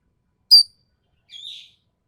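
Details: Ekek keling from Sumatra, a sharp, harsh voice: one abrupt high note followed by a fainter, slightly lower buzzy note about a second later, with silence around them.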